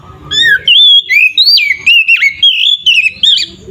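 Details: Oriental magpie-robin (kacer) singing in full 'ngeplong' style, a song used as a lure to provoke other magpie-robins to fight: loud, rich whistled phrases with sliding, swooping notes and sharp upward flicks, delivered almost without pause over faint low hum.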